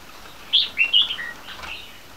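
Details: Three-month-old captive crossbreed bulbuls of red-whiskered and yellow-vented bulbul champion bloodline: one quick phrase of four bright, slurred whistled notes, the first highest, then faint softer chatter over a quiet hiss.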